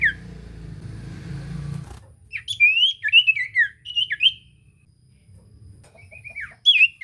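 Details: Common iora song used as a lure to make a silent iora sing. A low rumbling noise opens, then loud twisting whistled phrases come in a rapid burst, a quiet gap follows, and a few short whistles end it.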